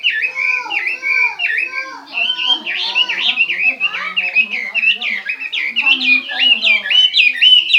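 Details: Chinese hwamei delivering a continuous, loud, melodious song of wavering whistles and quick trills, phrases tumbling one into the next without pause.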